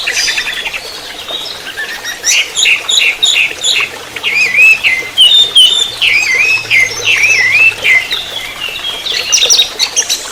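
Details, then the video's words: Orange-headed thrush delivering fast trotol song for tutoring and luring: dense stuttering high notes giving way to rapid zigzag whistled phrases and chattering trills, with a faint low hum midway. "Pancingan Masteran Anis merah TROTOL"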